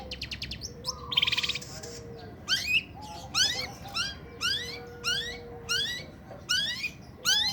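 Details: Long-tailed shrike in breeding condition, singing with korok sounds: after a brief rapid buzzy rattle, loud rising upward-swept notes repeat roughly every second, over faint steady low whistles.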